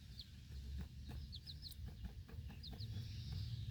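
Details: Mother hen guarding four small chicks during outdoor feeding in a backyard flock; bright, short chick peeps in twos and threes with low clucking underneath, over a steady deep background rumble.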